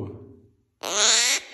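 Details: A young captive-bred female gang-gang cockatoo, hatched this year, gives one loud, harsh, creaky screech lasting about half a second, just after a man's brief spoken greeting.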